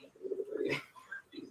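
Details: A pet Rock Pigeon calling late at night, outside springtime, gives a low, soft, rolling coo, a courtship call between mates; it can sound angry but is not.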